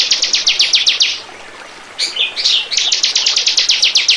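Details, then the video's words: Bar-winged prinia song used as a lure recording to attract birds: a quick run of high, sharp repeated notes, a pause of nearly a second, a short warbled phrase, then another fast run. "Burung. burung ciblek pancingan burung lepas"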